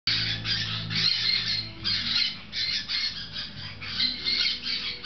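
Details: Six-week-old Grey-cheeked parakeet chicks, captive, munching on fresh food; dense, continuous harsh squawking and chattering from several birds, pulsing in bursts about every second, with low background hum.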